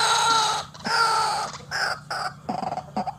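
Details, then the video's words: White-breasted waterhen calling vigorously, a recording used as a lure for trapping birds. Harsh, ringing croaks come in loud bursts, followed by shorter clipped notes. "RUAK RUAK GACOR GANAS RAJANYA PIKAT"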